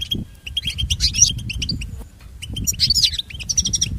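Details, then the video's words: European goldfinch singing, for training pet birds; tinkling twitters and short thin whistles with a brief pause midway, then a renewed burst of chattering notes and a high whistled ending. "Listen to Goldfinch's most famous motivations for training and education"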